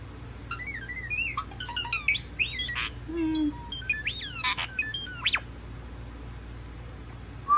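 A starling pours out a rapid jumble of slurred whistles, squeaks, clicks and chattering mimicked phrases for about five seconds over a steady low hum.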